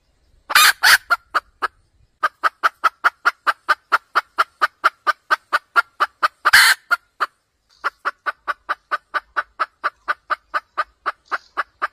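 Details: Red junglefowl hen calling a trapping cackle: harsh double squawk opening, then dozens of regular clucks, a second loud squawk, a short gap and another steady cluck run.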